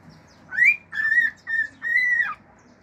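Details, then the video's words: Male cockatiel at home whistling four sustained, fairly level notes, the first rising sharply, the last long and slightly falling at its end. "CALOPSITA MACHO CANTANDO CANTOS NATURAIS, FIU-FIU, ESTALINHOS ENTRE OUTROS"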